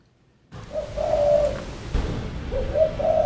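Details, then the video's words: Male Asian koel, perched on front-yard plants, gives two drawn-out, hollow whistled notes about a second and a half apart, the second slightly rising, over a low background rumble. "HOW ASIAN KOEL BIRD’S CHIRP SOUNDS LIKE AND HOW LOUD IT IS"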